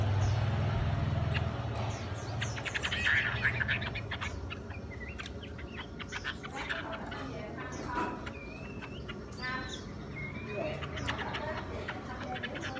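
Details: Tame wild-caught female Chinese hwamei, kept two seasons, which flutters her wings and spreads her tail beside a male; short scattered whistled notes and chirps with clicks, over a steady low hum and faint voices.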